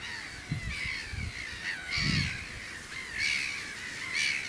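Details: Common redshank perched on a post at the Oesterdam, Tholen, Netherlands, alarming loudly while defending its two chicks and approaching a car: harsh, piping notes about once a second, with wind rumble.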